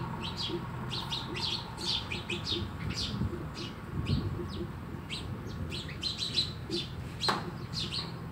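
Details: Chirping sparrows at a home, giving many brief bright notes in irregular runs, with one sharp click near the end and a low background rumble.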